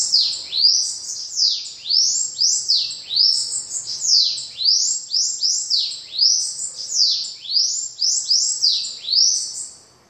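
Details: Bananaquit singing: a continuous stream of high, sharply descending sweeping notes with squeaky upper overtones, delivered in rapid phrases of two to three per second without pause for about ten seconds.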